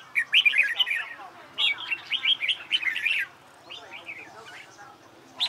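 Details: Red-whiskered bulbul trained for song competitions: two lively phrases of loud, looping whistled notes, then a softer, scratchier trailing section and a final sharp note.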